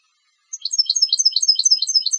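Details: European goldfinch trained for song competitions, singing a steady stream of rapid, high, tinkling twitter notes repeated several times a second, the whole phrase running without pause.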